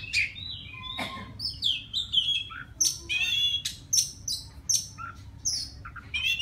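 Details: A wild white-rumped shama sings to call a mate. Separate bright whistles and downslurred notes are spaced through the clip, mixed with high metallic chips and a few short sweeps. The song is softer here than in the other clips.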